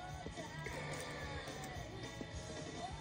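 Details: Dense rock-style music with a singing voice over drums and guitar, with no animal call standing out.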